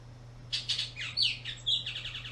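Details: Bullock's oriole in a park during spring migration, present from April to July; a fast, busy run of sharp chattering and down-slurred whistled notes over a low steady hum.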